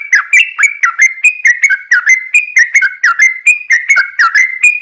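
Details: Yellow-vented bulbul singing a long, rapid 'ropel' song, played as a lure so other bulbuls start singing: steady stream of clear whistled notes that jump up and down in pitch, roughly three per second, with a clean background.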